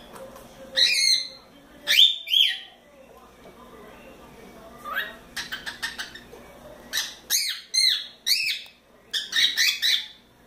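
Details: Four-month-old cockatiel at play in its playground gives loud bright calls, then rapid clicking chatter and more repeated squawky notes spread through the clip.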